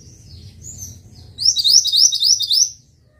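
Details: Mantenan bird, recorded as a songbird training track: faint high twitters, then a loud rapid string of about six shrill rising chirps lasting over a second, above a low background rumble.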